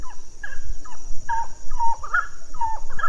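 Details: Grey-cowled wood rail (Aramides cajaneus) giving loud, hoarse, clucking notes in a quick uneven series, several per second, over a low background rumble.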